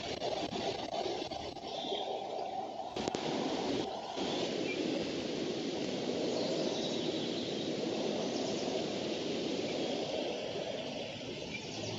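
Steady rushing wind and water-like noise fills the recording, with a brief thump near three seconds and no animal calls heard.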